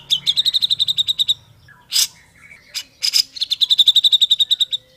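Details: Grey-cheeked bulbul singing, used to train other bulbuls: fast rattling trills of bright repeated notes broken by a few harsh bursts, resuming in a long even trill.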